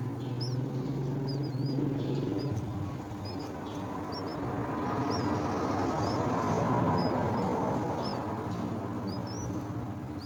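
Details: Young mynas at the nest, fed by their mother, give short, thin, high squeaks, about fifteen in ten seconds at uneven spacing, over a steady low hum.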